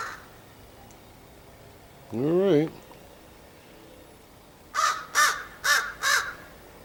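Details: Crow recorded on 30 August 2015, calling near a person who talks to it; a wavering harmonic sound first, then four loud, harsh caws in quick succession, with outdoor background hiss.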